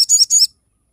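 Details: Crested jay (sogon) giving sharp 'tembakan' notes meant for tutoring and luring other birds: three quick high, buzzy, harmonic bursts in half a second, then silence.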